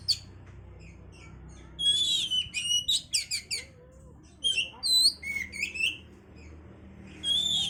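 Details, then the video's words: Oriental magpie-robin song played to stimulate breeding condition, with varied whistled phrases, rapid clicking chips and upslurred notes in bursts, separated by quiet gaps over a low hum. "pancingan suara Kacer untuk mendongkrak birahi"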